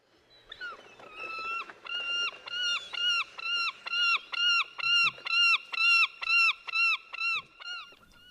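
Glaucous-winged Gull calling: loud, nasal, ringing notes about two per second for several seconds, each held briefly then dropping slightly.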